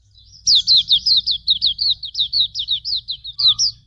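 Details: Hume's white-eye (pleci auriventer) master song: a lively unbroken series of roughly fifteen high, thin notes sliding downward, evenly spaced and fast, over a faint low rumble.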